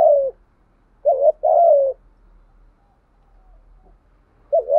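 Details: Spotted dove cooing on a decoy recording meant to stir wild birds: low two-part phrases, a wavering opening note and a longer falling coo, over a faint steady hiss.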